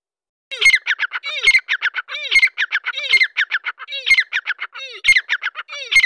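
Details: Grey francolin of the Dakkni type, in an excited mood, delivering loud rasping calls. Each grating phrase is preceded by a low, downward-sliding note, with phrases repeating roughly every 0.9 seconds over six seconds.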